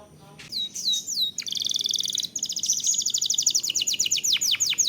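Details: Canary lure song meant to trigger singing in other canaries: whistled slurs, then a long fast rolling trill running for several seconds, ending in falling sweeps.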